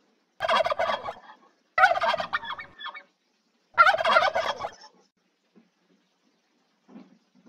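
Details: Turkey (Meleagris gallopavo), gobble.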